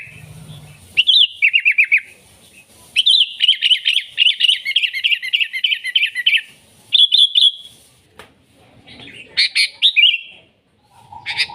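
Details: Energetic sooty-headed bulbul song meant to draw in wild bulbuls and train other birds: bright chirped phrases in bursts, a long rapid string of slurred notes in the middle, then sharper, higher calls near the end.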